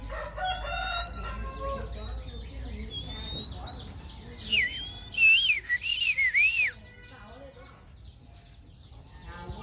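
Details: Oriental magpie-robin (Copsychus saularis) sings in a wild, forest-type voice: a varied run of clear, sweeping whistles, rising and falling, with a loud burst of looping notes midway over faint background chatter.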